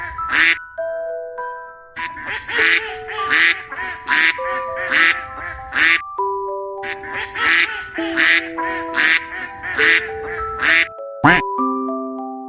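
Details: A long series of coarse, nasal duck quacks comes in uneven bursts with a few short pauses, roughly one quack per second, while light melodic music plays beneath.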